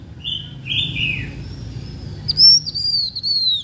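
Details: Blue-winged minla lure singing to draw birds in: drawn-out clear whistles, the first ones lower and falling, later ones higher and sustained, with a sharp upward flick near the middle.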